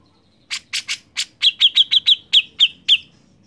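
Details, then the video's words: Grey-cheeked bulbul singing non-stop, played to prompt other birds to sing: about a dozen sharp, harsh notes, with the later ones clipped and ringing at an even pitch, spaced roughly every quarter second on a quiet background. "CUCAK JENGGOT GACOR Untuk Pancingan bunyi"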